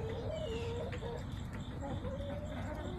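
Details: Backyard chicken flock recorded on September 20, 2024: soft, short clucking notes repeated in small bursts, some slightly rising, over steady low background rumble.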